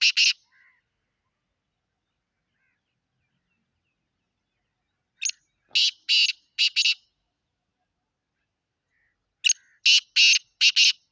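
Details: In Sindh, Pakistan, a black francolin repeats its harsh, rasping call several times, each phrase a run of four or five short grating bursts separated by long silent gaps.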